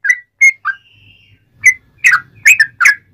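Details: Sooty-headed bulbul song used to coax other bulbuls into singing: a few short whistled notes, a thin drawn-out whistle, then a cluster of richer bubbly notes over a low background hum.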